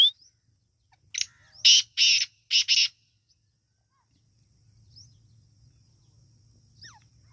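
Partridge calls: five harsh, hissing bursts packed into about two seconds, then a few faint thin rising peeps over a low steady hum.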